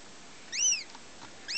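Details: First-year female goshawk of German and Finnish parentage, hatched 2009, utters a single drawn-out, high, whining call that rises and falls in an arch, then begins another at the very end; background otherwise quiet.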